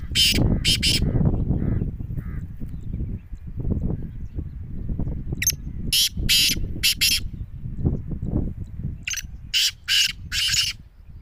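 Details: Black francolin jungle call in a short test: clusters of harsh, rasping bursts, a pair at the start and two longer runs later, over continuous low-pitched background noise.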